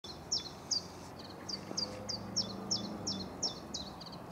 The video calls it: Great Tit chirrupping its 'chink' call